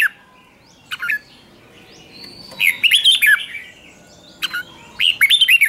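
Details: Decoy red-whiskered bulbul singing to lure wild birds: scattered sharp chips, then two lively bursts of rolling whistled notes rising and falling, separated by about a second and a half of quiet.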